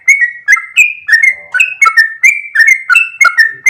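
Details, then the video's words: Sooty-headed bulbul (trucuk) singing vigorously in a long rapid ropel style: bright whistled notes that slide and step between pitches, about a dozen quick phrases in under four seconds with no other sound. "full suara Trucuk gacor ropel panjang"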